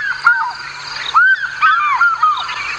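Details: Played-back recording of an African Fish Eagle call near Chitwa Dam at sunset on 10 June 2017, a pair-bonding call: loud, ringing yelps, a quick run of arched, falling notes with slight echo over a faint hum.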